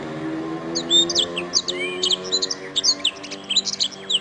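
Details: Canary song recorded as a master for training other birds: dense high chirps and slurred whistles, quick and varied, with a faint low tonal hum beneath.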